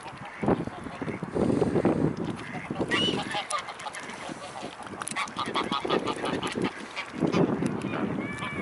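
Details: Mute swans at the Blaues Wunder bridge in Dresden, Germany, on 25 January 2018 around midday: repeated nasal honking calls within a busy, noisy background of other birds and general bustle.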